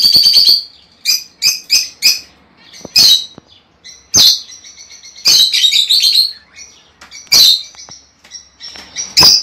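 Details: Shrill, high chirps and squeaky twittering from lovebirds, meant to encourage a female to lay eggs. The calls come in quick clusters separated by short gaps.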